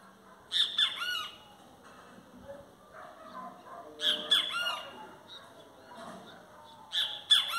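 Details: Great kiskadee singing repeatedly: three loud, harsh, three-syllable phrases spaced roughly three seconds apart. Each has two sharp notes and a sliding tail. Quieter background sounds lie between phrases.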